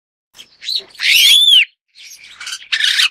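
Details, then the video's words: Superb starling calls: a harsh buzzy burst, then a loud rising-falling whistled note with bright overtones, followed by chattery scratchy notes. "栗頭麗椋鳥/Superb Starling"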